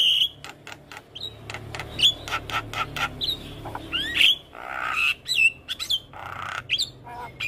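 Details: Javan myna masteran, a tutor recording packed with varied notes for training young caged mynas: sharp clicks, rising and falling whistles near the top of the range, and harsh chatter in quick irregular bursts.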